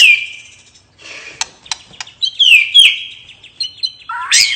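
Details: Relaxed ngeplong singing from a white-rumped shama, high thin drawn-out whistles with scattered clicks, ending in a sudden rising sweep.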